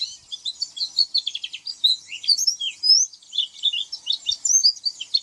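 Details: Varied, busy high twittering of an oriental white-eye, mixing quick chirps, short trills and thin rising whistles in an almost unbroken stream.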